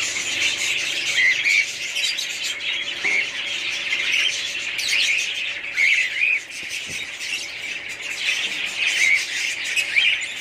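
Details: Budgerigars in a family group calling together, a constant wash of high twittering with brief clearer whistled upslurs popping out every second or two.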